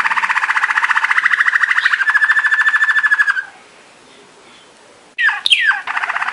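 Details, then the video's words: Waterslager canary, also called Belgian Malinois canary or water singer, giving training song: a soft bubbly rolling trill pulsing rapidly for three seconds, a pause, then sharp descending whistled notes and another trill. "Belgian Waterslager / Belgian Malinois Waterslager training song vol. 2"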